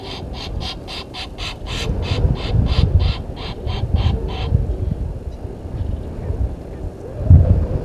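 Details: At a waterhole on Djuma Game Reserve in South Africa's Sabi Sand Wildtuin, Egyptian geese quarrel with intruding geese, 17:08, 10/04/21. A quick run of brassy honks lasts about four seconds, then gives way to low rumble and quiet.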